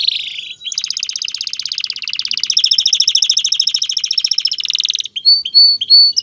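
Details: Male canary singing to ready a female for mating and urge her to build a nest, delivering one long fast rolling trill of repeated notes for about five seconds, then a few short sharp chirps.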